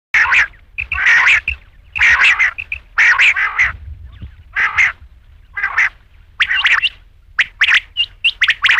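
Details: Rain quail calling in loud, harsh doubled bursts, each pair of notes closely spaced and repeated about once a second, with short clear chirps between some phrases; no other sounds stand out.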